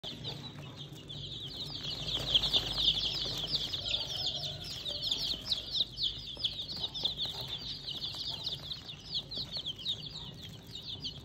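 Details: Several chicks in a bucket peep continuously, a dense chorus of high, thin, repeated peeps with rising and falling tails, loudest early and continuing throughout over a low background hum.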